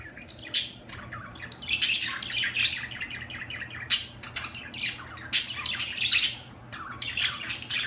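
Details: Chattering budgerigars, also called lovebirds locally, giving dense bursts of scratchy squawks and sharp chirps in clusters every second or two over a faint low hum.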